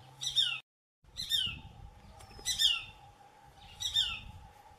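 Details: Shikra (Accipiter badius) at a farm in Kalwar, Jaipur, giving four loud, harsh, high-pitched calls, each a quick falling slur, roughly one a second, over a faint steady hum.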